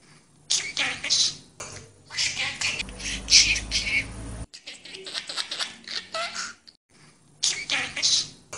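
A budgerigar chatters in bursts of high, scratchy, speech-like phrases with short pauses between them, mimicking repeated human words.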